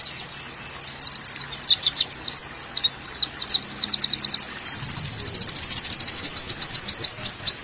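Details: Kolibri wulung, the olive-backed sunbird, on a masteran track: a jumble of sharp, sweeping squeaky notes and twitters, then an even, fast high trill running to the end.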